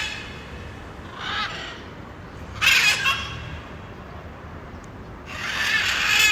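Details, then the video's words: Arara canindé, the blue-and-yellow macaw, calling in nature: three raucous, rasping screams spaced a couple of seconds apart, the first softer and farther away, the last long and harsh, with low steady ambient rumble. "Canto de Arara, Arara Gritando, Som de Araras | Arara Canindé"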